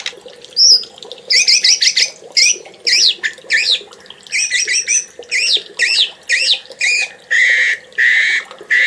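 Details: Champion murai (white-rumped shama) on a masteran training recording from 2021 delivering a busy string of short, harsh, clipped notes and looping whistled syllables, about two per second, ending in buzzy notes.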